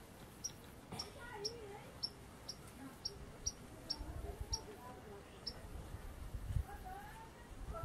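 A Violaceous euphonia gives sharp, high chips about twice a second, over low rumbling background noise and faint, indistinct lower sounds.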